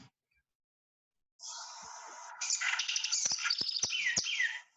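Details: House wren song, a species commonly heard living close to houses, presented to contrast its song with its calls: a buzzy opening phrase, then a rapid, bubbling jumble of high chattering trills and sharp notes lasting a few seconds.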